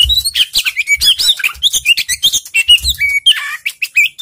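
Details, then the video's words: Oriental magpie-robin (kacer) in rich, nonstop song used to provoke a reluctant bird into singing: quick high whistles, slurred notes and scratchy chatter tumbling over each other, with music and a few soft low thumps underneath. "Pancingan Kacer males bunyi"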